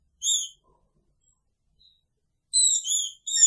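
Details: Green-winged Saltator in a cage alongside its female, singing picharro: one whistled note, a pause, then a rapid run of warbled, wavering whistles.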